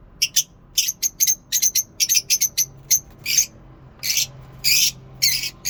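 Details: Lovebirds singing at a mini zoo in the morning: a steady stream of clipped, shrill chirps, some single and some in quick pairs, followed by broader, rasping squawks.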